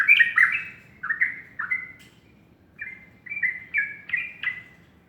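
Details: Yellow-vented bulbul singing in the morning: two quick phrases of bubbly, liquid chirps around mid pitch, several notes sliding up or down, the first phrase loud and the second run of six notes rising slightly, with a low constant background hum.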